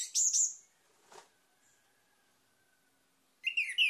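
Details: Orange-headed thrush lure song meant to draw other birds into singing: two short bright high whistled notes, a long quiet pause with a faint low hum, then a burst of varied warbling phrases.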